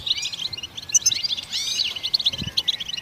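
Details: Goldfinch twittering song, said to encourage other songbirds to sing, with quick high chirps and sharp tinkling notes packed closely together, plus a few slurred downward sweeps in the middle.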